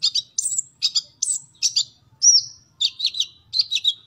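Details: Olive-backed sunbird song, recorded as training material for captive birds: quick high chirping phrases and trills, bursts spaced about half a second apart, with one clear rising-falling whistle midway; faint low hum beneath.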